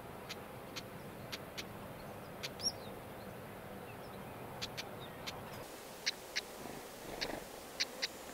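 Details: Wild pair of black-headed stonechats feeding chicks in the nest: a long run of hard, dry ticking calls, evenly spaced at first and later grouped in pairs, fairly faint against a hissing outdoor background.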